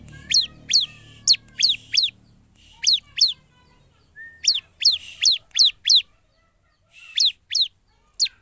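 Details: Bar-winged prinia (ciblek) singing in the energetic gacor style: clusters of sharp, high, downward-slurred notes in quick runs of three to six, separated by short pauses, with a faint low hum underneath.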